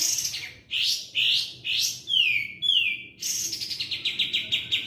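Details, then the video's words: Sooty-headed bulbul kept as a master bird for tutoring songbirds, singing actively. It gives burbling rising-and-falling phrases, then two long, clear, descending whistles, then a fast run of repeated short notes. A low hum and rumble run underneath. "Katem gacor.."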